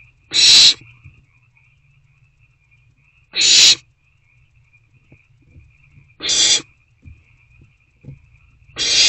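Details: At a nest box on 21 April 2024, around 9:15 to 9:31 pm, owl parents continue delivering food. Loud rasping, hiss-like screeches come in short bursts about every three seconds, four in all, with a thin constant tone beneath.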